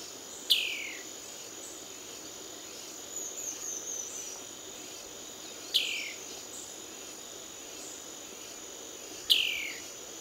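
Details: Ocellated poorwill at Brusque repeating a brief whistled call that starts high and drops quickly, three times at intervals of several seconds, against a steady high-pitched insect drone.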